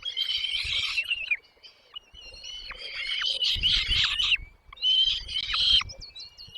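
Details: Chicks in a nest begging while their mother and father arrive with food, giving loud, scratchy, buzzing squeals in overlapping bursts, broken by a brief quieter pause and some low thumps.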